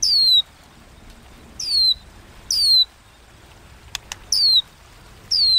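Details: White-rumped shama singing a fighting song in the 'kéo thuốc lào' style. High, clear whistles slide downward, each one short and repeated about every one and a half seconds, with two sharp clicks in between.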